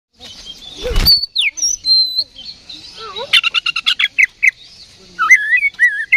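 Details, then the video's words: Oriental magpie-robin, kept as a hobby bird, sings a fighting song of the ngeplong style, roused by a decoy recording. Clear whistles slide and drop, then a fast run of sharp notes and warbled phrases follow a single low thump. "KACER GACOR NGEPLONG TARUNG !!"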